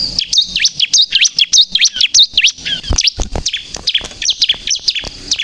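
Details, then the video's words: Bar-winged prinia (ciblek kristal) singing vigorously, used as a lure for trapping and provoking birds: rapid series of high, sharp V-shaped chirps and whistles, dense and repeated, with a few clicks and thumps mid-clip. "suara burung ciblek kristal gacor untuk pikat dan pancingan ciblek bahan agar bunyi emosi"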